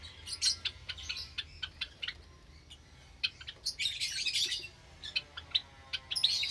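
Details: Java sparrows kept in an aviary where many chicks have hatched, 8 May 2022, morning. Rapid high chirps and short squeaky notes from several birds, with dense chattering in the middle.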